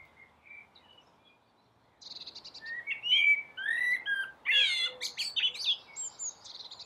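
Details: Common blackbird singing on a roof: faint soft whistles at first, then a louder run of fluty warbled phrases mixed with sharp, high, buzzy squeaks and twitters toward the end.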